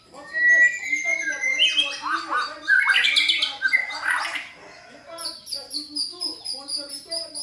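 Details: Lure song of a white-rumped shama for a caged bird: a pure whistle, then an energetic mix of warbles, squeaks and harsh chatter, ending in a run of quick high ticking notes.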